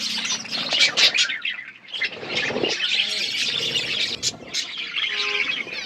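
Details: Budgies feeding as a flock: harsh squawks and busy overlapping chirps and warbles, rising and falling in loudness throughout.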